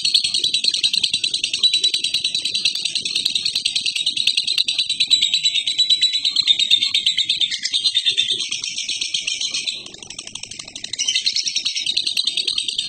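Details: Lovebird giving a long ngekek chatter: a dense, unbroken, high rattling trill that runs for the whole stretch, briefly fading near the ten-second mark before resuming at full strength.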